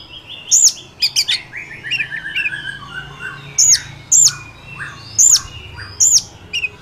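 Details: Wild Oriental magpie-robin singing, used to provoke a kept bird: scattered sharp high upslurred notes and short chirps with pauses, varied phrases over quiet background.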